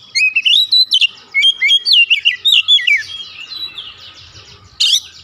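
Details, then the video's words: Agitated Oriental magpie-robin (kacer) reeling off isian song: a fast series of clear, looping whistles and chirps for three seconds, a softer buzzy tail, and a last sharp note. "Kacer emosi bongkar isian"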